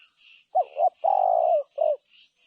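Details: A single spotted dove coo phrase, two short soft notes, a long sustained mellow coo, then a brief closing note, with faint high chirping from other birds behind.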